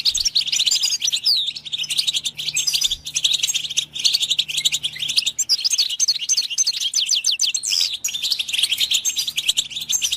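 Goldfinch song: a fast, unbroken stream of bright, tinkling twitters and liquid trills, high-pitched and busy throughout, with a faint low hum underneath.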